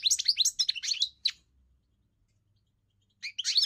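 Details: European goldfinch song: a quick burst of bright twittering notes lasting just over a second, then near silence for about two seconds before the chattering twitter resumes at the end.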